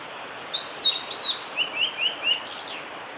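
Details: Singing male blue-and-white flycatcher on the Kanazawa forest road by Lake Miyagase, Japan, recorded 5 May 2018; clear falling whistles open the phrase, followed by a run of four short rising notes and a final sharp high note.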